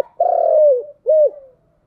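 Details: Spotted dove cooing in the voice style called giọng đồng: a low, mellow drawn-out coo gliding slightly downward, followed after a short pause by a shorter rounded coo, in a quiet setting.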